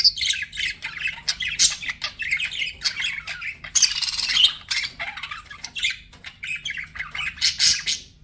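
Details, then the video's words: Pet budgies chirping and squawking in a dense, scratchy stream of rapid notes, a harsh noisy burst in the middle, constant faint hum below. "BUDGIE SOUNDS"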